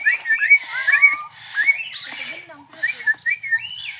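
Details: Crested myna singing vigorously at a zoo park in Perbaungan: a string of slurred, whistled notes, some rising and some falling, in quick bursts with short pauses.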